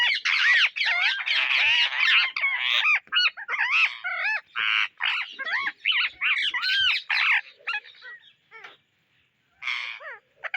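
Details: Searching for grains, Indian ringneck parrots give rapid, shrill, rising-falling squawks in quick overlapping runs. The chorus thins out toward the end, with a pause and a final burst.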